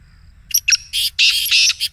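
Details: The excited voice of a Black Francolin, used as morning playback to coax a caged bird into calling. Short scratchy opening notes lead into longer, hoarse rasping notes in a quick phrase under two seconds.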